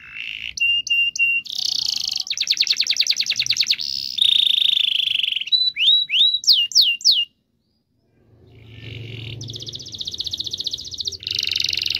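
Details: Canary song used to prompt silent canaries to sing: varied trills, whistled steady notes and downslurred chirps, broken by a short silence, then buzzy rolling trills resume with a low murmur underneath.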